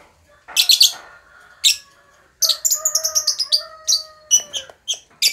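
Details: Young lovebird used as a lure to get silent lovebirds singing: sharp, high chirp bursts, a pause, then a fast run of repeated bright chirps and spaced single notes near the end.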